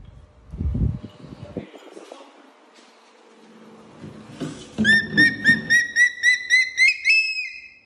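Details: A hawk-eagle, after hunting, gives a quick series of about nine sharp, high whistled notes, three or four a second, after several seconds of low rumbling and handling noise.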